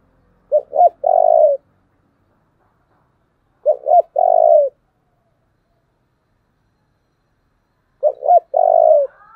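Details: Model decoy spotted dove with a thổ-style voice. Three cooing phrases about three and a half seconds apart, each two brief clipped notes then a sustained, slightly descending coo, clean and loud.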